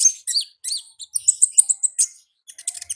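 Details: Wild olive-backed sunbird in ngalas song, a busy run of very high, sharp chirps and short sweeps tumbling quickly one after another, with a brief pause near the end.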